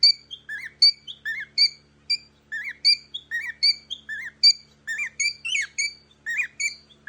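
A cockatiel gives quick, bright chirps and squeaky whistled notes in a steady stream.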